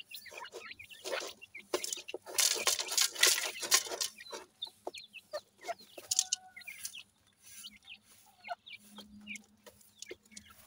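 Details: Grey francolin chicks playing together, giving many short high chirps and peeps in irregular bursts, with rustling and scratching sounds and a low steady hum.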